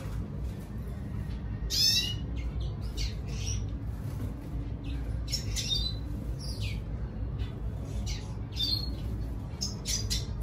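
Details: Red siskin singing to attract a female: scattered sharp, squawky high notes and short slurred chirps in loose bursts over a steady low background hum.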